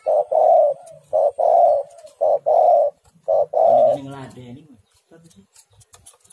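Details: Female spotted dove calling to a male, a recording meant to draw out birds. Gruff coos in paired short-long notes, each ending with a soft falling tail, repeated about four times. The last coo runs into a low, ringing harmonic sound.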